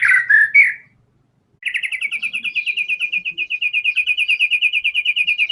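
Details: White-rumped shama in full song, used as a lure and therapy to make other songbirds sing: a few rich warbled notes, a pause, then a fast even trill of pulsed high whistles running several seconds.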